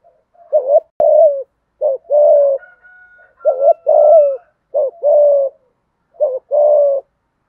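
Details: Deep-voiced spotted dove thúc gù cooing: paired notes, a brief rolling coo then a fuller low hoot, repeated about every two seconds, with a faint thin whistle from another bird behind.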